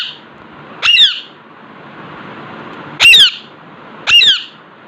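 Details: Indoor Alexandrine parakeet facing a mirror, uttering three grating, buzzy squawks with rising and falling edges, the last two about one second apart, over faint background hum.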